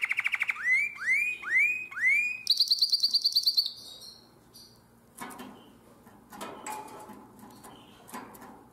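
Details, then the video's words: Canary of the nightingale-voiced song style, Drama, 2017, gives three loud upswept whistled notes, then a fast high trill, before the song stops and only rustling, knocking background noise remains. "Αηδονόφωνο Καναρίνι"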